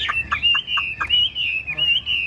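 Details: Caged Chinese hwamei, a tame fig-leaf-tailed bird kept as a songbird, sings a sustained, warbling run of high whistles that rises and falls. Sharp clicks punctuate the phrase, and faint room noise sits underneath.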